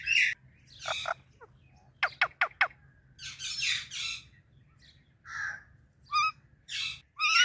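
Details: Pet parrots, an Indian ringneck and an Alexandrine, chirping loudly in the morning: harsh screechy squawks in separate bursts, a quick run of four sharp clicks, then more raspy calls and rising shrieks.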